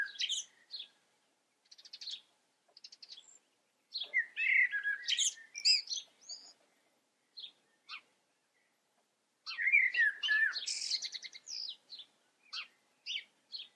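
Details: A common blackbird (Turdus merula) sings two rich, mellow warbled phrases about six seconds apart, each ending in a thin, squeaky twitter, with scattered short high notes between, in an otherwise quiet background.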